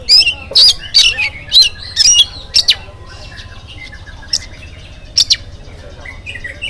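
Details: Morning song of an oriental magpie-robin, used to get other birds singing: loud harsh bursts about twice a second in the first three seconds, then quieter whistles with further sharp notes.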